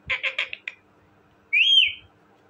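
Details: Pet talking parrot uttering a quick run of five raspy speech-like syllables, then after a pause a single clear rising whistle that levels off and fades.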